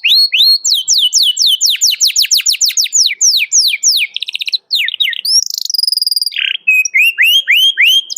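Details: Canary calling a rival, a training lure for young canaries learning song: long run of steep down-slurred notes, a fast rattling trill, a sustained buzzy note, then repeated short upslurred whistles.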